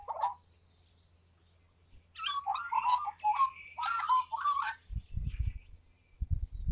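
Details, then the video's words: Magpie named Fatboy sings a solo: a rich, warbling phrase of fluty and scratchy notes tumbling up and down for about three seconds, followed by low thumping noise. "the Magpie sings a solo"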